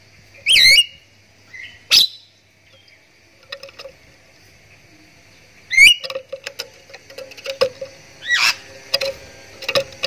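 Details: Javan myna call played as a lure to make other mynas shout along: several loud, looping squawking whistles spaced through the recording, with soft clicks and dry tapping between them.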